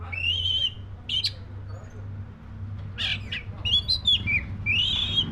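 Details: Black-breasted Oriental magpie-robin singing warbled whistled phrases mixed with harsh, buzzy bursts, fairly continuous, over a steady low hum.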